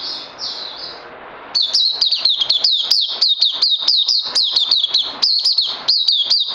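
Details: Crazy LG style song of a caged oriental white-eye, day two of supplements, 31 May 2020: faint high notes at first, then a sudden loud rush of sharp, downward-sliding chirps repeated quickly.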